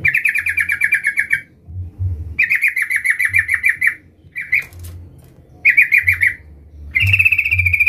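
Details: Yellow-vented bulbul calling out a rival, played to provoke others into singing: loud, quick runs of bubbling chatter repeated with brief gaps, one short two-note chip between them, low hum behind.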